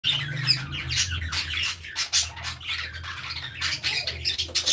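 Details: A flock of captive budgerigars playing in an aviary chatters with rapid, scratchy squawks and warbling chirps.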